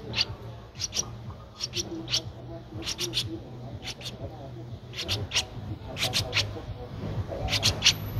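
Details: Streak-eared Bulbul nestling aged 13 days, Ubon Ratchathani, Thailand, April 2023: high piercing chips delivered mostly in pairs and triplets at irregular intervals, with a steady low hum underneath.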